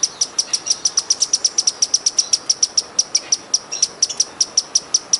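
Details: Wild hummingbird singing: a steady, rapid series of very high, thin chip notes, about six each second. The series runs evenly throughout over a quiet background hiss.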